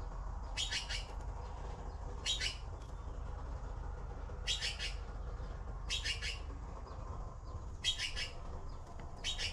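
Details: Hungry baby blue magpies waiting for food produce regular harsh, scratchy bursts of chatter, about six over ten seconds, each a tight cluster of rasping notes, with steady low background hum.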